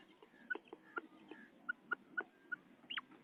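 A female common quail gives soft, clucking mid-pitched notes, about two per second, mixed with faint clicks over a low background murmur.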